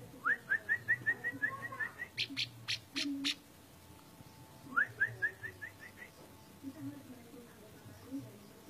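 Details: Orange-spotted bulbul delivering fast strings of short, clear whistles, about eight per run. Sharp clicking ticks sound between phrases, and a second whistled string follows after a pause. A low hum runs underneath.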